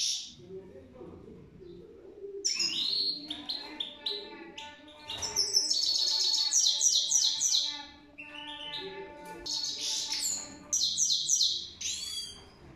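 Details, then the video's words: Goldfinch singing a fast, bright twittering song of high tinkling trills and buzzy chirps, notes tumbling several per second with brief pauses, over a faint low hum. "Gold Finch The Best singing video"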